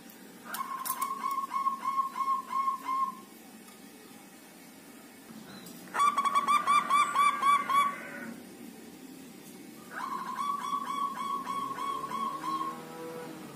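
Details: Local zebra dove singing strongly after five days kept in a group cage: three bursts of fast, evenly repeated soft cooing notes, some phrases brighter and higher, over a constant low hum.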